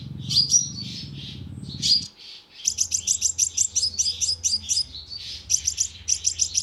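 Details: Lure recording of a sunbird for loudspeaker trapping: several high chirps over a low hum, a brief gap, then a long even run of sharp, very high ticking chirps.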